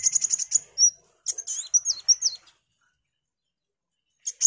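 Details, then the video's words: Sunbird, kolibri wulung, singing gacor as a shama tutor recording: a quick string of piercing high ticks, then twisting squeaky phrases, a long silence and two last sharp notes. "MASTERAN KOWUL GACOR || KOLIBRI WULUNG, KOLIBRI WAYANG"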